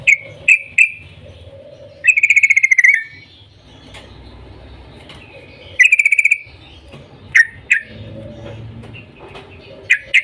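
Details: Yellow-vented bulbul with a morning 'cuk cuk' call meant to start other bulbuls singing: scattered sharp chirps and two rattling trills spread over ten seconds, with a steady background hum between them.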